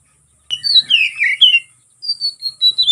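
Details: Kacer, the oriental magpie-robin, in fighting song used to provoke rivals: a sudden burst of sliding whistles and buzzy notes, a short gap, then a series of clear descending whistled notes.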